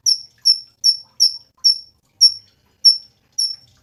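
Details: Cungkok songbird in a masteran recording for training songbirds: a steady series of sharp, thin, high chip notes, each falling slightly, repeated roughly every half second, with nothing else heard.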